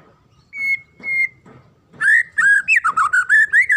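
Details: Two flat whistles open, followed by a rapid, rhythmic burst of swooping whistled notes, roughly nine in quick succession. A magpie-robin is singing, played to train young birds.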